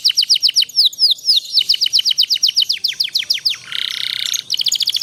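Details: Canary master recording for young canaries learning to sing with long rolls: steady downslurred chirps repeated about four per second, a short harsh buzzy burst, then the chirping series resumes.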